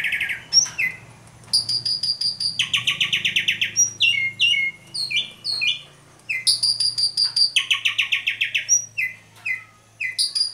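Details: Asian pied starling singing nonstop with a pumping display, used as a lure to start other starlings singing: a long varied medley of sharp whistles, fast rattling trills and repeated chirps, with a faint low hum behind.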